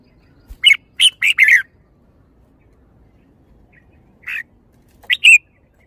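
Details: Red-whiskered bulbul delivering a brisk four-note warbling phrase, then after a pause a lone softer note followed by a bright two-note ending. The background is still.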